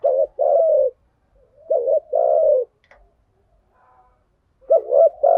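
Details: Male and female spotted doves in a lure recording with thuc gu and gay goi calls: two deep phrases, each a short double note and a sustained falling coo, a quiet gap, then a third phrase beginning.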